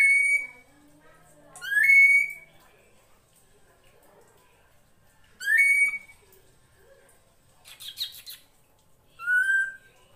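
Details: Drongo of the srigunting krantil type, recorded as a master for training songbirds: widely spaced loud up-swept whistles, a brief harsh rattling burst, then a final falling whistle amid quiet gaps.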